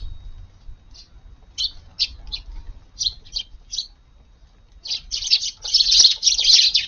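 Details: Eurasian tree sparrows visiting a garden for breakfast early on a July 16 morning after rain; scattered short chirps at first, then a dense burst of overlapping high chirping in the last two seconds.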